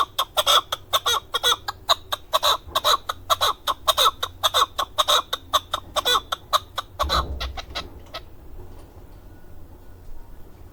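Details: Male chukar partridge, a hunting bird from Darvoz district, Tajikistan, recorded in 2020, rattles off fast repeated chuk notes for about eight seconds before falling silent, leaving faint background noise.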